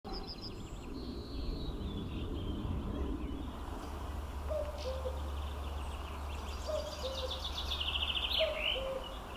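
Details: A distant common cuckoo in Norway, 2019, gives its soft, falling two-note 'cu-koo' about every two seconds over a low rumble, with other small birds chirping higher up.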